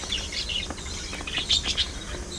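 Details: Pet budgies chattering: rapid squeaky twittering notes, some rising and some falling, bunched toward the end, over a quiet low background hum.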